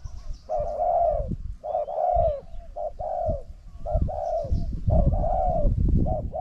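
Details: Decoy-trapping session with spotted doves, a caged decoy facing a persistent wild caller. Repeated soft hollow coo phrases, each a short note then a longer rolling one, roughly once a second, with low thumping noise beneath.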